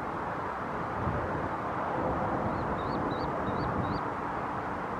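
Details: A young Pied-billed Grebe, filmed in September 2021 robbing its parent of hunted fish and shrimp, gives five thin, high, rising peeps in quick succession over a steady roar of wind and traffic.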